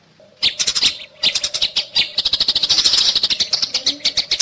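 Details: Eurasian tree sparrows in combat, the sounds used to teach other songbirds: after a short quiet start, piercing chirps burst out in quick clusters, then build into a steady, intense, shrill chatter.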